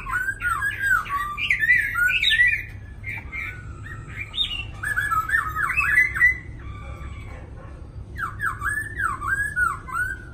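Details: One of two caged black laughingthrushes (khướu mun), described as singing long, extended songs, sings rich, varied phrases of slurred whistles and chattering notes, with short pauses between bursts, over a low indoor hum.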